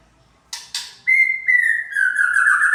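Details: White-rumped shama used as a provoking lure: two short raspy notes, then a long clear whistle held steady before sliding slightly downward and becoming warbled at the end.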